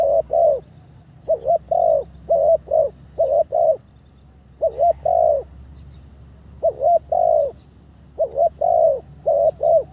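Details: Spotted dove trained as a ground decoy, third training session, condition improving. Repeated phrases of mellow, hollow coos in twos and threes, with a notched first note, broken by a two-second pause midway.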